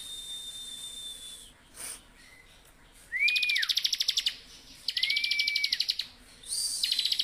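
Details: Bar-winged prinia in full, lively song in the continuous ngebren style, used as a master recording for training songbirds: arched whistled notes alternate with fast buzzy rattling bursts of high, evenly pulsed notes, separated by short pauses.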